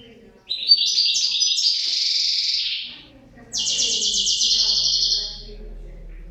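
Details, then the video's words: Goldfinch pair delivers two long, dense, buzzy high trills, the second louder and more even, separated by a short silence, over a faint low hum. "couple chardonneret"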